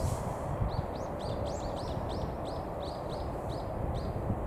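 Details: White-shouldered starling wintering on a beach for several months gives a rapid run of short, high, arched chirps, about two to three a second, half-buried under a steady low roar of wind or surf.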